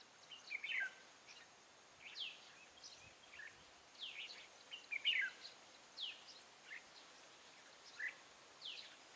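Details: On 14 March 2017, a red-whiskered bulbul serving as a trapping lure gives short chirpy phrases and falling swept notes, scattered irregularly about every one to two seconds.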